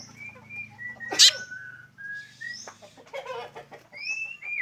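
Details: Unique call of a black drongo: level and gently falling whistled notes around a single sharp, harsh burst, then rising clear whistles, over a low background hum.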